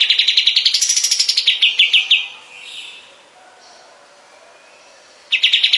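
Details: Kapas tembak bulbul singing, kept as a master recording for teaching other cage songbirds: a rapid chattering trill that rises to higher notes and falls back, then a pause with faint background sound, before the fast trill resumes.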